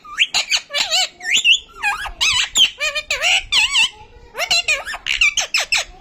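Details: A pet parrot that talks pours out dense, chattering, high-pitched phrases. It alternates warbling whistles with harsh, buzzy squawks, leaving brief gaps between bursts.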